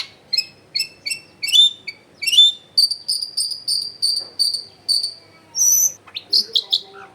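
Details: Long-tailed shrike lure recording from a home in a dense neighbourhood: a steady series of short, high ringing notes about once per second, then varied squeaky chirps at the end.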